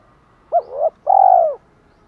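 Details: Spotted dove giving challenge calls and calling to hens: a short rising hoot, then a longer, slightly burry coo that falls at its end. Quiet background, no other sounds.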